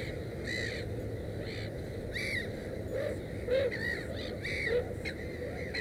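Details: Black-headed gull at a nest holding three chicks gives short, harsh, arched calls repeated about once a second, with lower, softer rising notes between them over a steady background hiss.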